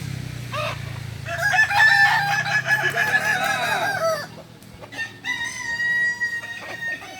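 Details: Kukuak Balenggek roosters during training together in Ampang Kualo, Kota Solok, Indonesia; a long, wavering, multi-syllable crow lasts about three seconds, then another steady crow follows over a low hum.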